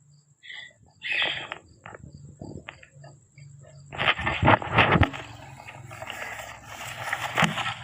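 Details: Three rose-ringed (ringneck) parakeets playing in a house courtyard give short chirps, then bursts of harsh, raspy screeches, over a steady high electrical whine and low hum.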